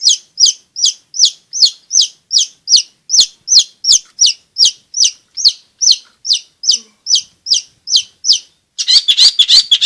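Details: Long-tailed shrike repeating one sharp, high, down-slurred chirp about twice a second in a steady rhythmic series, ending in a burst of fast scratchy chatter; used for coaxing quiet shrikes and training young birds.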